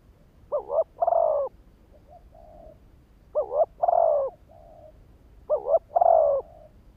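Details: ['Three repeated phrases from a decoy spotted dove meant to excite wild birds, roughly every two and a half seconds: double note, long wavering coo, soft low tail.']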